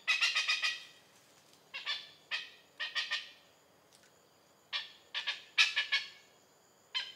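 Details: Malaysian oriental pied hornbill producing repeated harsh cackles, short bursts of rasping notes spaced irregularly over several seconds, with faint background hiss.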